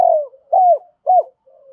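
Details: Decoy spotted dove calling to lure birds for trapping: the tail of a burry falling coo, then two short arched hoots and a faint trailing murmur.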